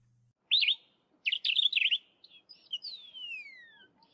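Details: Sombre Greenbul (Afrikaans: Gewone Willie): a quick burst of bubbly, chattering notes, then a clear, drawn-out whistle that slides steadily downward.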